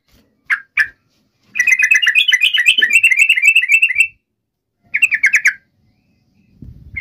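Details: Yellow-vented bulbul song used to call a rival: two sharp notes, then a long jumbled chattering trill lasting over two seconds, and later a shorter burst of quick notes.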